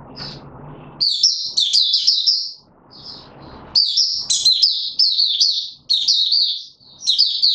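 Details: White-eye, a caged bird being pushed on form, singing in rapid bursts of high, sweet chattering warbles with quick slurred notes, phrases of one to two seconds separated by short pauses, with faint low background noise between phrases.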